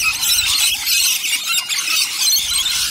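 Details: Noisy flock of rainbow lorikeets feeding on nectar, a steady mass of high-pitched squeaks and screeches blending into one chattering roar.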